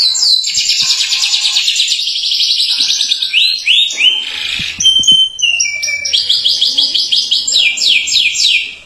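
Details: Atlantic canary giving long continuous 'gacor' song intended to trigger other canaries: a rapid high buzzing trill, then varied slurred and stepped notes, and finally a run of quick repeated chips fading out.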